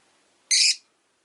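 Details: A single rosy-faced lovebird kept indoors lets out one short, harsh, buzzing squawk lasting about a third of a second during a peaceful afternoon.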